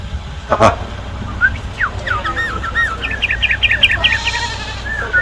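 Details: A six-year-old sooty-headed bulbul sings loudly after a sharp knock: a few slurred notes, then a rapid series of short, bright, repeated whistled chips over a low rumble.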